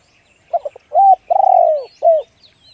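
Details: Spotted dove singing in the one-kook, big-voiced style: two short clipped notes, an arched coo, then a long, slightly falling coo with a stuttered start, ending with a final short arched coo. Faint high chirps from other birds follow.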